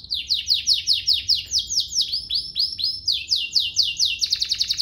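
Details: Canary song, used as tutor material for young canaries and to prompt singing: rhythmic descending chips about four per second, shifting to rising sweeps and finally a rapid clipped trill.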